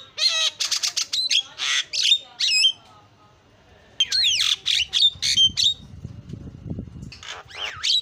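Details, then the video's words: Javan myna singing persistently, 'isian' filler song used to lure: fast clusters of harsh chatter and looping whistled slurs, a pause of about a second, then more squawks and rising whistles. "JALAK KEBO KICAUAN PALING KREN SUARA ISIAN"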